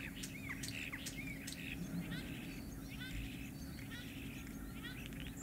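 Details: Starling song during courtship and mating: a dense run of chattering clicks, rattles and short whistles, busiest at the start, then continuing in bursts over low steady background noise.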